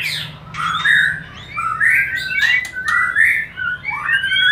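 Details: Mating-lure song of a white-rumped shama: varied whistled phrases with upward-sweeping notes and a few harsh, scratchy bursts, delivered in quick succession over a low droning hum.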